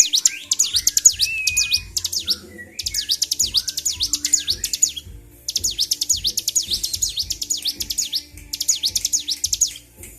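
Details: Worked-up Bar-winged prinia, 26 February 2023, delivering long runs of high, sharp zigzag notes broken by short silences, with low thumping sounds in the background.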